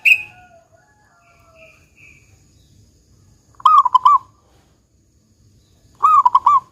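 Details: A loud local zebra dove with a big 'kung' call, used to lure other doves into song. Two pulsed cooing phrases about two and a half seconds apart follow faint higher whistles at the start.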